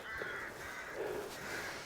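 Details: Jackdaws or crows building nests in trees at a rural village in County Meath, Ireland: a chorus of harsh, overlapping caws throughout, several birds calling at once against a steady background hiss.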